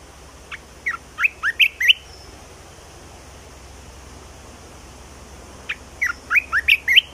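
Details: Two repeated song phrases from a red-whiskered bulbul, the newly added song. Each is a quick run of about six sweet, slurred whistled notes, rising toward the end, separated by roughly four seconds of near silence with soft hiss.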